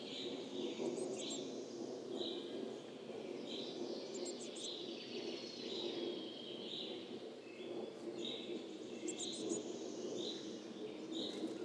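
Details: Coal tit at its nest in 2024, birds flying in and out, recorded with a Telinga microphone: short, high chirping notes repeated about once a second, with thin, very high clicking bursts between them over a steady background hiss.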